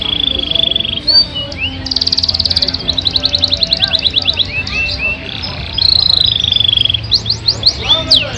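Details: Yorkshire canary delivering a long, richly filled song: held high whistled tones, rapid buzzy rolls, fast trills and rising slurred notes alternating through the phrase.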